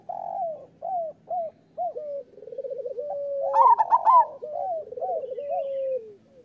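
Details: Singing local zebra doves, a master song for doves reluctant to sing or moulting: a run of short rising hoots, a purring roll building into one loud trilled, stuttering phrase, then softer coos trailing off.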